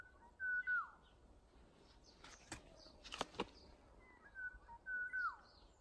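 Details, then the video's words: ['Unnamed bird often heard in early summer around a home yard and alleys: a clear whistled phrase ending in a downward slur, repeated twice more near the end, with sharp knocking clicks in between.'] "초여름에 자주 듣는 이름모를 새소리"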